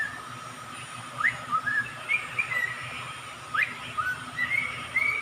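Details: Pet songbird kept for stress relief in the Philippines, giving clear whistled phrases of short upslurred and downslurred notes in quick bursts, with a constant low hum behind.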